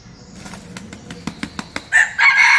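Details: Red junglefowl decoy rooster, seven months old, in Bình Phước province, Vietnam, claps its wings about eight times in quick succession, then breaks into a loud, harsh crow made of two strong bursts.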